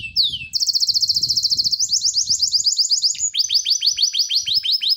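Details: [6, 'Contest-bird training recording: a falling slur, then a long rapid buzzy trill and a fast series of rising chirps, continuous and high-pitched, over low background rumble.']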